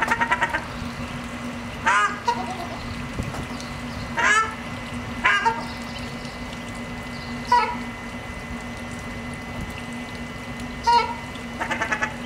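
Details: Ruddy shelducks with ducklings at Aeres Barneveld: harsh, nasal, honking calls come singly or in short bursts at irregular intervals across the clip, over a steady low electrical hum and quiet background.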